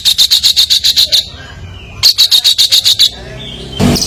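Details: Competition songbird on a training recording, loud in a super gacor style: bursts of rapid, high, buzzy chattering notes, about eight quick pulses per burst, separated by a second-long pause, with a brief noise at the end.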